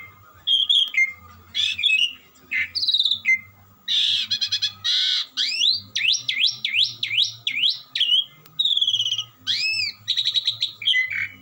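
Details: Asian pied starling in continuous, melodious song: whistled slurs, chattering trills, a harsh burst, then a fast series of repeated swooping whistles and more trilled notes, with a low background hum.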